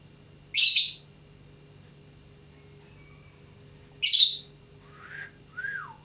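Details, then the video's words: Lovebird practising its song: two rasping high chirps about three and a half seconds apart, followed by soft sliding whistled notes, with a faint low hum throughout. "Burung lovebird belajar berkicau"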